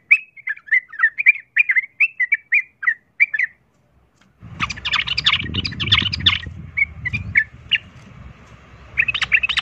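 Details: Sooty-headed bulbul fighting song used to provoke other birds: choppy bursts of bubbly chirped phrases, then a pause, followed by dense overlapping chatter with rumbling background noise and more chirping at the close.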